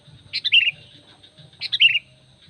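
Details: Two quick, bubbly bulbul phrases, each dropping from a high chirp into lower warbled notes, about 1.3 seconds apart; a sooty-headed bulbul calling to attract other bulbuls, with a faint constant hum.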